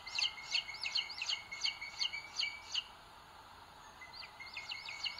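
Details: Booted eagle nestlings on a Spanish live webcam, Sierra de Guadarrama, 2022. Overlapping high chirps from more than one chick run busily, pause for about a second, then resume, with a faint steady whistle-like tone underneath.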